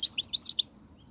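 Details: A brief, fast phrase of high tinkling, twittering notes in a rapid sequence, taken from wild European goldfinch song recorded in 2019 to prompt caged goldfinches to sing; faint low background hum.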